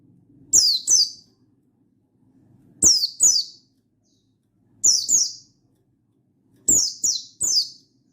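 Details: Buxtoni pleci, a mountain white-eye, calling a rival in vigorous wild style: high, descending chip notes in clusters of two or three, a cluster about every two seconds, over a faint low hum.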